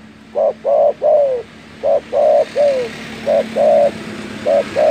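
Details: Spotted dove giving a loud, gacor-style call said to provoke rivals: low, hollow coos in short phrases, a brief note followed by one or two longer falling coos, repeated several times over a steady engine-like hum.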